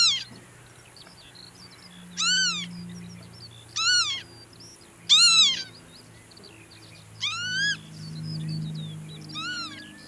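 Northern lapwing giving six wheezy, slurred 'pee-wit' calls, each rising then dropping, spaced about two seconds apart over a faint low hum.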